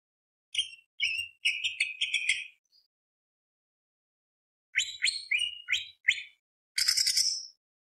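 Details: Greater green leafbird (cucak ijo) singing bursts of rapid, high, rattling chirps, a pause of about two seconds, then more sharp chirped phrases ending in a harsh buzzy trill.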